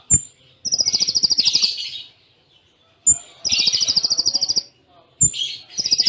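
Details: Kolibri Ninja sunbird song in the Cililin style with short pauses: a thin high whistle, then a rapid buzzy pulsed trill lasting about a second, repeated three times.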